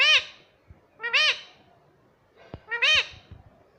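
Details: Pet ring-necked parrot talking, said to say "mummy papa": three nasal, arched syllables about one second apart, with faint clicks between them.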